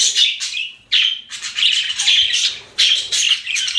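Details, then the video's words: Pet budgies produce chirping phrases of buzzy, squeaky twitters, several bursts with short gaps, some notes sliding downward. "CUTE PET BUDGIES CHIRPING"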